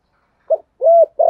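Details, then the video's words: Spotted dove used as a decoy, cooing thúc gù: a brief clipped note followed by a longer smooth low coo and the start of another. "cu gáy thúc gù giọng thổ hay, tiếng chim cu mồi gáy gọi"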